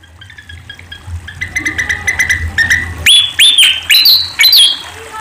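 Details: Sunda pied fantail song, recorded for training caged songbirds and luring: after three seconds of softer chattering and trilling notes, five loud, sharp whistled notes sweep up then level off, each about a third of a second apart.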